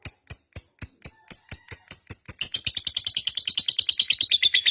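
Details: Lovebird in a long, vigorous ngekek: evenly spaced sharp chirps that speed up into dense, rattling, warbled chatter, continuing without pause to the end.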